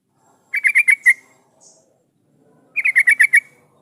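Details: Energetic yellow-vented bulbul song played to make other bulbuls reply: two bursts of about six quick, warbling chirps, with a faint high squeak between them.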